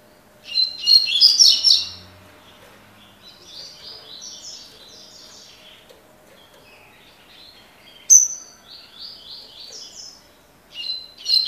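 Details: Double-collared seedeater, a bird described as a 'coleiro de fibra', singing in the 'tui tui' style: loud, high, buzzy-whistled bursts at the start, softer rapid chittering phrases, then a sharp bright note and further trilled bursts near the end.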